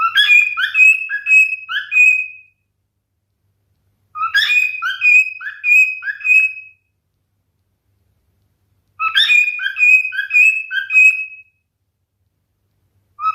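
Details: Male cockatiel repeating the same whistled song phrase three times, about every four and a half seconds, each a quick sequence of alternating low and high notes ending on a steady whistle; a fourth phrase starts at the end.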